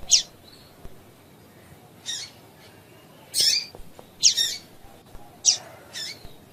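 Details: Female double-collared seedeater call used to get males singing: six short high chips, thin and sharp or coarse and buzzy, scattered irregularly across several seconds, sometimes in close pairs.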